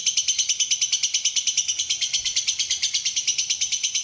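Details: Lovebird singing in a clear, paused tutoring recording: rapid, even, high-pitched ticking chatter, several notes per second, held at one level for the whole four seconds, with no other sounds.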